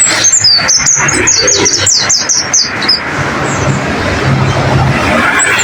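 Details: White-eye (pleci) masteran song for training caged birds: for about three seconds, quick high chirps slur downward one after another, then fade into a steady broad background hiss.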